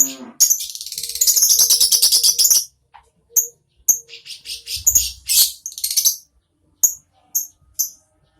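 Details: Shrill lovebird chatter, a rapid string of high notes for two seconds, followed by scattered single sharp chirps with short silences between them.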